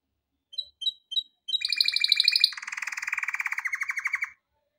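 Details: Male canary singing for training: a few soft high piping notes, then a loud fast trill that shifts into a lower, rolling, rattling tour of evenly repeated syllables lasting over two seconds.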